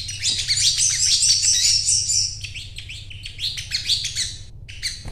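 A lively, continuous song of rapid high chirps and twittering notes, fast and busy throughout, over a faint low hum.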